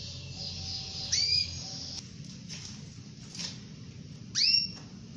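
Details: Domestic canary hen calling for the male, recorded as a training aid for canaries that stay silent: two brief, thin, upslurred chirps about three seconds apart amid low humming noise.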